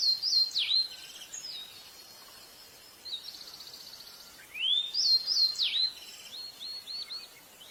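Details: Pied bushchat song of lively whistled phrases, each opening with a rising or swooping note followed by short chattering trills, repeated about every four seconds over faint background hiss.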